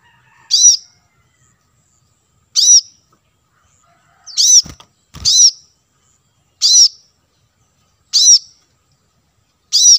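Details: Lure call of the plain-throated sunbird for wild birds: eight high, crisp chirps repeated at fairly even intervals over ten seconds, with two low dull thumps near the middle.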